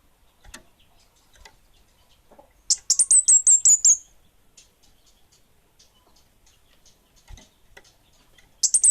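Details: Actively singing orange-headed thrush of the bunga api type: a fast string of high piercing slurred notes lasting over a second, repeated after a long pause, with faint clicks between.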